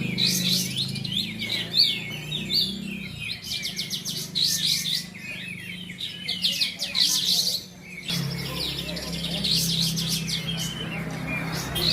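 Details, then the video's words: Bulbul in a singing contest of the Kapas Tembak class at Bonjol, Pasaman: fast, busy high warbled phrases repeated with brief pauses, over a low steady hum and crowd chatter. "Kelas Kapas Tembak"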